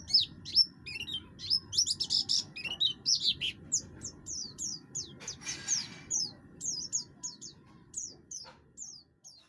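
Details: Oriental white-eye, buxtoni, singing energetically in its harsh voice, a song used to draw other birds into singing. Quick high chirps and slurred whistles come first, then a brief noisy rustle, then sparser sharp notes, over a faint hum.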